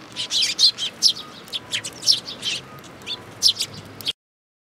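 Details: Sparrows gathering to feed on a bridge railing at a Tenmangu shrine on 9 June 2022; lively repeated chirping from several birds, cut off abruptly near the end.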